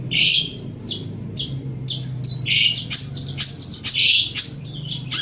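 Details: Long-tailed shrike singing a master recording meant for training birds, with varied twittering chirps, sharp high whistles and quick squeaky notes tumbling together, backed by a faint steady hum.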